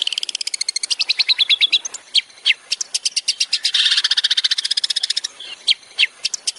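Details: Long-tailed shrike master song for training songbirds, 'tembakan' style: rapid high chips and trills mixed with whistled slurs and a dense buzzy burst in the middle.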